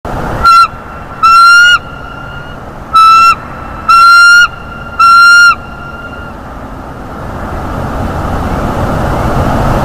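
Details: Bald eagle at a nest in North East Florida, recorded by a nest camera around 9:12 am on 13 February 2021, squealing with delight as the male brings a mammal: five loud, thin, high squeals over steady background noise.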